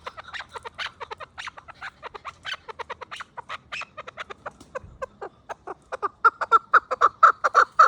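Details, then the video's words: Chukar partridge calling in 2026: a long series of clucking chuk notes, faint and irregular at first, building into loud, evenly spaced calls in the final two seconds. "Кабки шикори 2026 Каменная Куропатка Keklik Partridge chukar"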